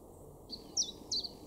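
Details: Common chiffchaff song in a garden in Weener, East Frisia, northwest Germany, in May 2022: three high, sharp notes about a third of a second apart, stepping up and down in pitch, over a faint background hum.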